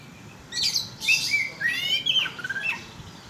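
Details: Oriental magpie-robin song as a bird-provoking lure: after a short pause, sharp high notes give way to smooth whistles and a buzzy trilled phrase, then a falling whistle.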